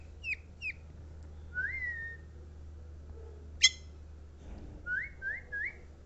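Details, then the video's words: Javan myna singing: sharp falling whistles, a drawn-out rising whistle, a loud high click, then three quick upslurred whistles in a row, over a steady low hum. "Myna bird sound / myna bird song / mynah bird singing / javan myna / javan myna sound"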